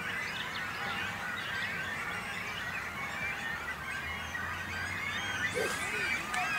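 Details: Great cormorants with chicks at a breeding colony on a small island in a little lake in Langedijk, between Noord and Zuid Scharwoude, Netherlands; dense, continuous overlapping chatter and squeals, with a low steady hum underneath.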